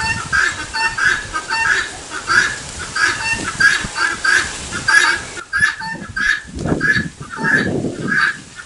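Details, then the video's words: Repeated 'tô fraco' cry of a helmeted guineafowl: grating double notes at a steady beat of roughly one and a half per second. Low rumbling noise appears near the end. "GALINHA DA ANGOLA Cantando TO FRACO! Canto do CAPOTE"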